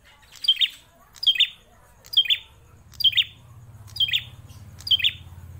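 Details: Loud prinia known locally as prenjak klawu, a captive bird kept for more than four years, delivers six crisp, high chirps at roughly one per second, each a quick piercing note sliding downward, over a low steady hum.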